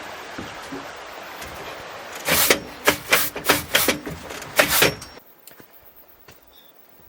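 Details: Background hiss broken by a run of sharp wooden knocks and bangs, about six in three seconds, then quiet.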